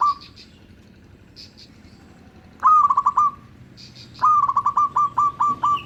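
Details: Zebra dove of a local type sings as a lure for others of its kind. After a quiet start, two phrases of ringing, rolling cooing notes follow, the second longer, with about eight evenly spaced beats.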